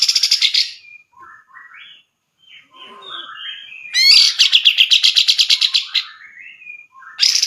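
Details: Grey-cheeked bulbul, valued in song contests and as a tutor for training other birds, mixing soft varied whistled and slurred notes with a loud, rapid, pulsed buzzy trill of about two seconds, then another trill starting.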